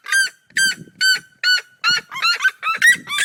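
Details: Red-legged seriema pair of the Brazilian cerrado duetting: loud, ringing yelps repeated about twice a second, overlapping and speeding up as the second bird joins in.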